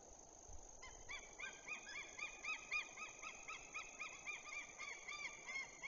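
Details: White-tailed eagles at a nest during the breeding season give loud, yelping, slightly goose-like notes, several birds overlapping in a fast, uneven series of about three to four calls a second.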